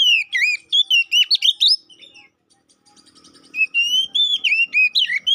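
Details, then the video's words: Poci Oriental magpie-robin song used as a provoking lure for fighting: rapid varied whistled phrases with swooping slurs, a brief quiet gap, then long sustained whistles and rolling notes. "Pancingan Burung Kacer Poci agar Cepat EMOSI, GACOR ON KONSLET‼️"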